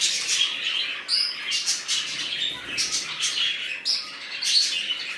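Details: Budgerigars of a newly set-up colony keep up continuous high, scratchy warbling with short squeaky notes and occasional sharper chirps layered together.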